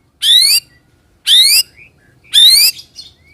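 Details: A white-rumped shama, heard on a lure recording meant to draw responses from other shamas, gives three harsh, rasping, buzzy notes about one second apart. Faint short whistles sound between them.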